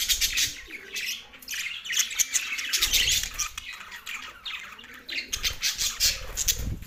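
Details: Australian budgerigars chirping during mating: a flock's rapid, buzzy warbles and sharp squawks tumble over one another in bursts, with soft low thuds underneath at times.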